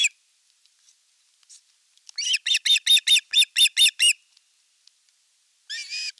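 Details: Osprey in Satakunta, western Finland, at the nest on 5 August 2024 amid a fish delivery and an elder chick's attack on the younger; a tight string of about nine piercing high yelps, then one longer whistled squeal.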